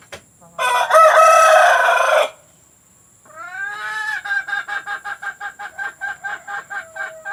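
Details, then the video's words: Domestic chickens recorded as a lure to get hens to lay: a long, loud rooster crow of about one and a half seconds, a pause, then a hen's rising notes leading into rapid, regularly repeated cackling clucks. "Suara pemikat ayam betina agar mau bertelur"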